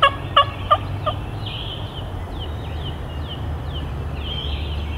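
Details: Wild turkey gobbler coming in toward a hunter's calls and gobbling as he approaches: a short series of four quick, fading gobble pulses, then slurred descending songbird whistles over low rumbling background noise.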